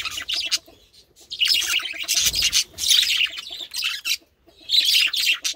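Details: Male budgerigars reacting to grapes, giving bursts of busy, scratchy chirps and warbles in rapid chatter, pausing briefly between bouts, with faint low background sounds.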